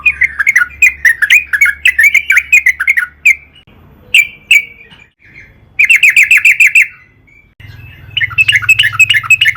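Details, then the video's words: Yellow-vented bulbul in long, vigorous song used as a lure to make other trucukan sing: bursts of rapid, chirpy bubbling notes repeated in quick runs, with short pauses between phrases and a faint low hum beneath. "burung trucukan gacor PANJANG buat PANCINGAN TRUCUKAN AGAR BUNYI"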